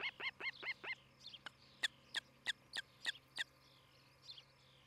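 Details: Osprey calling at a nest in Charlo, Montana, morning of 11 July 2018: a quick burst of five ringing, downslurred chirps, a short pause, then a slower string of thin, piercing notes spaced roughly a third of a second apart.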